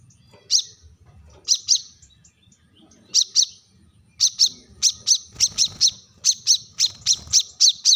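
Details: Brown-throated sunbird (kolibri manggar, wiceh) sounding a sharp call meant to call rivals: high piercing double chips, at first spaced about a second apart, then speeding into a rapid steady series over a faint low hum.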